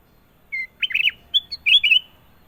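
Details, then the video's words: A sooty-headed bulbul gives a single rich, gurgling song phrase. A brief pure note leads into rolling, liquid warbles and ends on a brighter bubbling flourish. The surroundings are otherwise quiet. "KUTILANG EMAS PALING MERDU! Suara Gacor Panjang"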